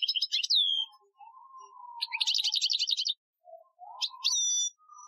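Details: European goldfinch singing an Algerian-style training song, recorded 2015: bright buzzy trills and rapid twittering phrases, a clear descending whistle, and a soft low whistled tone running beneath between phrases.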